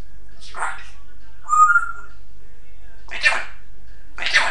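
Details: Pet African grey parrot alternating breathy, voice-like utterances with a brief pure whistle, four separate bursts over under five seconds in a quiet indoor setting.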